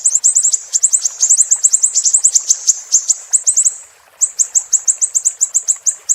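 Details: Siri-siri song used as a tutor recording for cage songbirds to copy: long runs of rapid, very high, sharp chirps, several per second, with a brief pause near the fourth second before the chirping resumes.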